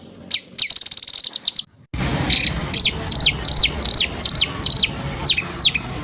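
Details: Training material of White-rumped shama rough 'tembakan' song: a short high buzzy trill, a pause, then repeated loud whistles, each sweeping steeply downward, roughly two and a half per second.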